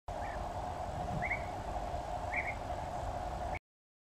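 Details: European bee-eaters at a colony in a sand pit at Weiden am See, Austria, on 7 July 2023, giving short, rolling, mid-pitched 'prruip' calls about once a second over a steady hum and low rumble like distant traffic or wind.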